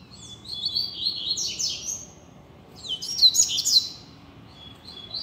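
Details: Free-flying double-collared seedeater singing in a street as a tutor bird for learning: two bursts of rapid, high chirped notes and quick downslurred trills, separated by a short pause, over faint low background rumble.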